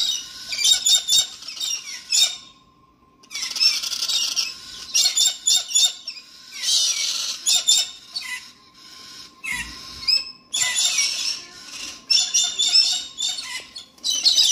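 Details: A galah (rose-breasted cockatoo) at Alice Springs gives harsh, high, screechy squeals in quick bursts, pausing briefly between bouts over a faint steady hum.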